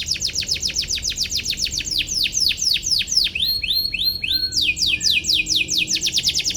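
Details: Atlantic canary in energetic song aimed at a rival, a training lure for young canaries; rapid run of repeated sweeping high notes, about four per second, changing pattern midway into quicker, higher trills.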